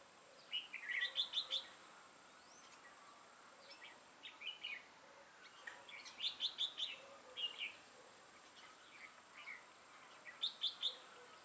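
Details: Decoy red-whiskered bulbul with a 'mào lân' crest and dark bib, used for trapping, 6 November 2018. It sings quick clusters of bright, bubbling whistled notes, three main bursts roughly five seconds apart, over a quiet background hiss.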